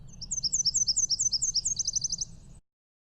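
Nashville Warbler song in two parts: a series of high, sweet paired notes about four per second, then a faster, lower trill. A faint low rumble underneath.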